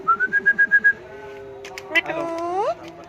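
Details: Parrot, described as a talking bird: a clear whistled note repeated eight times rapidly, then a lower rising, slurred vocal sound with rich overtones, like a squawky attempt at speech.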